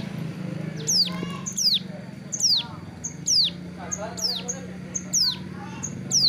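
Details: Hill prinia, captive, sunning by the roadside while moulting its wing feathers: sharp, high descending whistled notes repeated about every second, with a low steady hum and faint voices beneath.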